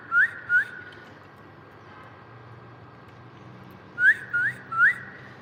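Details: Bulbul recorded on 30 December 2025 giving two brief upslurred whistles, a pause of about three seconds, then three more rising whistled notes in quick succession against faint background hum.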